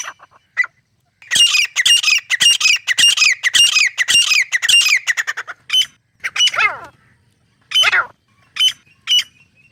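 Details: Grey francolin giving a rapid run of harsh, high, ringing notes, followed by scattered separate calls and a few descending squeals.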